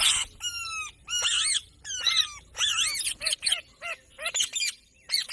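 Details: Ringneck parrot calling with shrill, high screeches and short descending nasal notes, followed by a quick run of sharp chirps, all loud and close in a quiet room.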